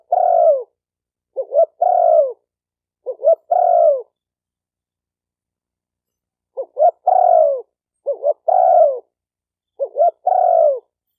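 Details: Two bursts of three phrases from a spotted dove, separated by a pause of about two and a half seconds; each phrase is two short upward notes, then a long mellow coo sliding down.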